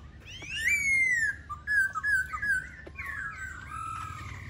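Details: Laughingthrush song of loud, ringing whistles: a bright note sliding gently down, short looping phrases, then softer wavering whistles fading toward the end.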